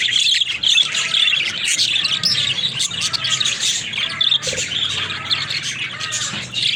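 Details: Pet budgerigars chirp and warble busily, quick high notes about twice a second over continuous scratchy chatter.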